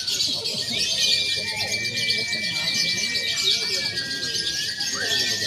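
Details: Several lovebirds singing together in a mock free-action contest used to train birds ahead of real competition, with konslet, fighter and paud types combined: rapid, buzzy high chatter throughout, crossed by a long, steady whistle and a few rising slurs.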